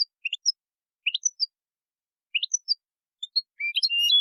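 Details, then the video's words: European goldfinch singing in nature; high twittering notes in small clusters separated by pauses, ending in a more continuous liquid twitter. "تغريد الحسون في الطبيعة"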